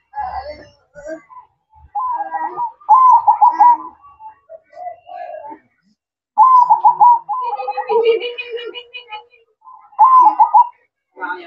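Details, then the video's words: A zebra dove sings manggung at night, giving repeated rolling, vibrating coo phrases with pauses of a second or more between them. Around the middle, a lower sound with stacked tones briefly overlaps the cooing. "Suara Merdu Perkutut Manggung Di Malam Hari"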